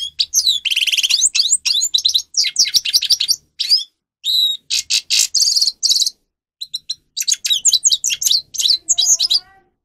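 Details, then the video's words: Captive grey-crowned goldfinch (Carduelis caniceps) singing for use in training other birds; bursts of dense buzzy trills alternate with quick twitters and clipped notes, separated by short gaps. "(Carduelis caniceps) Goldfinch song Best for training"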